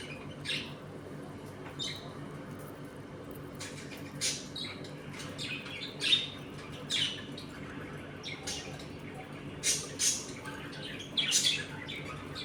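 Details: Home colony of budgerigars at feeding and play time, pairs squabbling; scattered short chirps and scratchy squeaks spaced irregularly over twelve seconds, growing busier toward the end, over a soft constant indoor hum.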